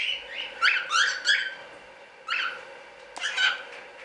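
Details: Standard cockatiels kept in a small hobby breeding setup as show birds; harsh, rising chirped calls in short bursts, three close together, then single calls after pauses, over a steady low background hum.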